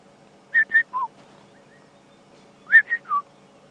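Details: A boubou calling somewhere in the streambed at sunrise on a July morning safari drive gives clear, fluted whistles in two short phrases about two seconds apart, each with two higher notes dropping to a lower one.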